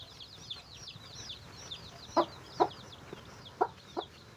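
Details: Chicken calling its chicks to food it has found. Loud, abrupt clucks come in an uneven run over constant thin, descending cheeps from many chicks.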